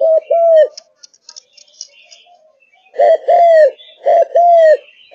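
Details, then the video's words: Malaysian-strain spotted dove, caged and singing hard. Two cooing phrases open, each a quick double note and then a drawn-out falling coo. After a two-second pause with faint ticks and chirps, two more phrases follow. "Cu Gáy Malaysia Căng Lửa, Chơi Từ Sáng Tới Tối"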